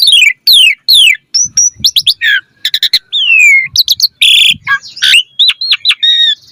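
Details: Varied song of an Asian pied starling, meant to encourage other caged starlings to sing: steeply falling whistles, harsh rasping bursts, clicks and chattering notes, and bent whistled phrases in a dense, rich sequence.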